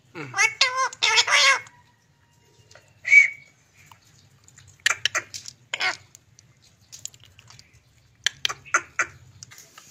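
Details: Kept as a pet, a green parrot opens with rapid wavering harmonic syllables that sound like garbled talk, gives one short whistle, then a series of dry clicking and rasping bursts separated by gaps.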